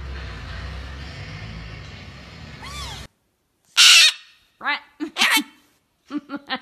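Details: Pet cockatoo, a male showing off its varied personalities, gives harsh screechy bursts and short, choppy speech-like syllables after a stretch of steady background noise. A person speaks to the bird just before.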